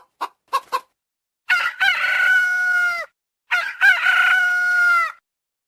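Red Junglefowl: three short clucking notes, then two hoarse crows about one and a half seconds long, each ending abruptly as if choked off.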